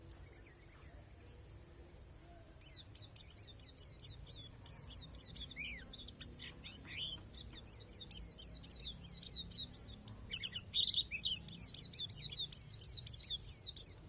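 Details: Borneo palas Oriental white-eye with isian alam song. After a quiet opening, a busy stream of sharp, high, downward-sweeping chirps builds up and grows louder, with a constant thin electronic whine behind.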